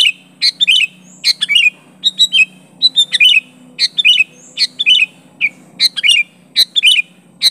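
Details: Sooty-headed bulbul calling to challenge and press a rival, natural voice without learned fill-in phrases; bright chirpy bursts of two to four quick notes, rising and falling, repeated in rapid irregular succession over a faint low hum.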